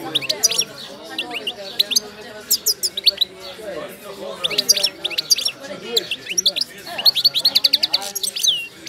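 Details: Moulting Moroccan goldfinch of the wydani type, described as wild-caught, in continuous lively song. Rapid high twitters and liquid chirps run throughout, ending in a fast rattling trill of evenly repeated notes.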